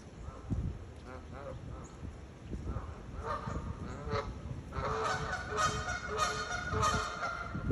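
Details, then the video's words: Geese honking while chasing at SIUE in Illinois: a steady run of nasal, harmonic honks that grows busier and louder in the second half, several birds overlapping, over low rumbling background noise. "Geese honking and chasing!"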